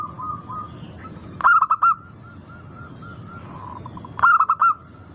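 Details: Zebra dove of a local strain, played to prompt birds into singing: faint rolling coos between two sharp bursts of four rapid, bubbling staccato notes, with a steady low hum beneath.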